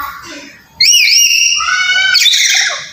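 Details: Black-capped lory, sound used to provoke a reluctant bird into calling: a sudden loud rising screech flowing into a drawn-out harsh squawk, followed by a second grating burst.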